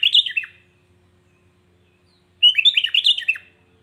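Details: Sooty-headed bulbul (kutilang) provoking other bulbuls with two bright, warbled whistled phrases, a short one then a longer tumbling one after a two-second silence.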